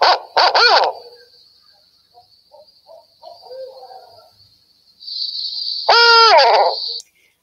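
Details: Barred Owl giving nasal, muffled 'who cooks for you' hoots that slur downward, in two short bursts several seconds apart, over a steady high-pitched whine.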